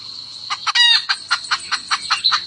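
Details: A highland wild chicken hen calls the male with rapid, evenly repeated clucks and one brief strident squawk, against a continuous shrill background drone.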